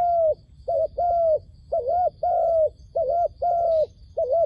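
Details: Dove used as a lure for trapping wild doves, calling in a rapid run of soft, low two-part coos, short then sustained, nearly back to back; faint high hiss in the background.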